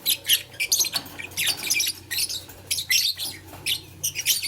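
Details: Playing with a flower, blue, lutino and green lovebirds give separate shrill chirps and buzzy squeaks in short groups with brief pauses, a soft hum underneath.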